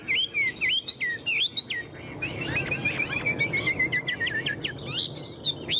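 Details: Chinese hwamei, a tame cage bird clinging to the bars and displaying its wings and tail, sings crisp upslurred whistles, then a rapid trilling chain of high notes and a final bright flourish.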